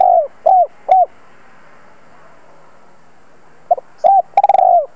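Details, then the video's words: A spotted dove used as a lure calls to draw in wild birds. It gives clear mid-pitched coos in two short phrases separated by a quiet gap, the last note longer and falling. "Tiếng chim cu gáy gọi thúc bổi nhanh lên mồi"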